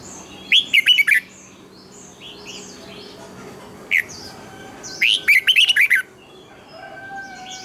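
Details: Red-whiskered bulbul morning song, used as lure sounds for training birds: one quick warbled phrase, then a single lone note, then a longer phrase of about seven lively, twisting whistles, with soft chirps from other birds behind.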